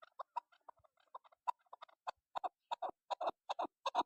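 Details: Chukar partridge call, as used for hunting. Soft, scattered clucks start the sequence and build into louder, more regular doubled chuk-chuk notes toward the end, with no other sounds present.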